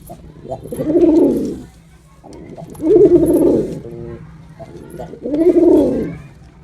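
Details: Male pigeon cooing in a performance display: three deep, rolling coos, each about a second long, spaced roughly two seconds apart, with quiet room background between them.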